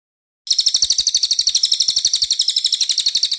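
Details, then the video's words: Cililin singing a clear, lively song that starts abruptly after a short silence and continues as a rapid run of high, bright chirps repeated about four times a second, even and unbroken. "Cililin gacor suara jernih"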